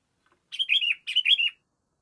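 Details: Sooty-headed bulbul calling to a rival: two bubbly, liquid phrases given back to back, each with a few slurred chirping notes that dip and rise. Clean and close, with silence around them.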